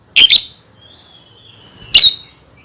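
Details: Lovebird, a recording meant to prompt young birds: two harsh, high squawks about two seconds apart, joined by a faint, drawn-out thin whistle that drifts slightly downward.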